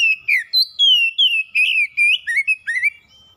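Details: Singing pet kacer (oriental magpie-robin): clear, ringing whistled phrases, mostly long downward glides with a few short rising notes near the end, about ten notes in quick succession.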